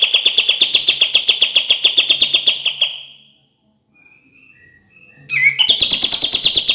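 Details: Cream-vented bulbul song for prompting reluctant singers: a long, rapid rattle of bright chips fades out, a few faint thin notes follow in the pause, then a rising note starts another quick chattering run.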